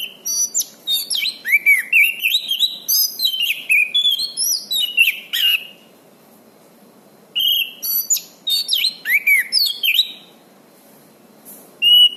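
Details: Orange-banded thrush song used as a master recording for training birds: rich varied phrases of whistles, slurred rising and falling notes and rapid chirps, delivered in bursts with a pause of about two seconds midway.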